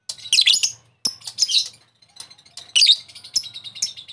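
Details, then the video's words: Lovebird call meant to provoke a rival lovebird into answering, heard as bursts of shrill, scratchy chattering separated by short pauses, each burst a jumble of high squeaky notes, with a faint low hum beneath. "Pancingan Lovebird memanggil lawan sangat receh,jos memancing Lovebird agar ngekek"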